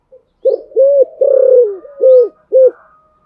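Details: Spotted dove in the Thổ Sấm voice style, a coaxing fighting coo meant to get a rival bird singing: one run of low, rounded coos, the third note long and throbbing, ending in two short clipped coos.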